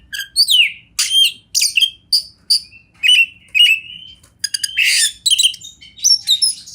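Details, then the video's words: Oriental magpie-robin champion master song, used as a tutor recording, set in wild river and forest surroundings. A rapid, varied string of high whistles, sweeping slurs and buzzy bursts in short phrases, over a faint low rumble. "Masteran Kacer Juara Alam Liar"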